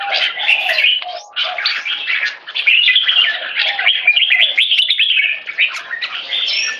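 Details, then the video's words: Red-whiskered bulbul, a kept songbird, singing in the one stroke style leading to keke: dense, rapid warbled and chattering notes run almost without pause, with a faint steady lower tone near the start. "One stroke singing lead to keke"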